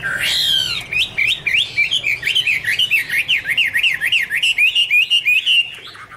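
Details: Chinese hwamei song from 2017 opens with a sharp upward-sweeping whistle, then rolls into a rhythmic chain of about fifteen repeated V-shaped whistled notes, ending in a sustained note.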